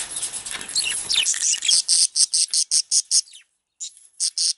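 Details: Male budgerigar making angry sounds and singing: a dense scratchy warble gives way to a run of sharp, harsh chirps about two or three a second, a brief silence, then more rasping chirps.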